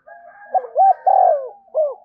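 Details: Spotted dove in thúc gù cooing, used to urge decoy birds to sing: a low steady hum underneath, a bubbling double note, a long loud falling coo and a last short coo.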